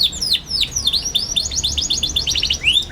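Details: Young canary song used to teach other canaries: looping whistled sweeps, then a rapid string of sharp chirps about ten per second, closing with rising whistles.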